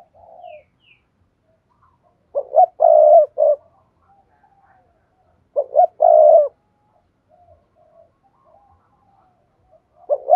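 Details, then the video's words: Repeated spotted dove calls, played as a lure to make silent doves call. Three low coo phrases about every three and a half seconds, each two clipped notes and a longer held note, with quiet gaps between. "tiếng cu gáy thúc bổi"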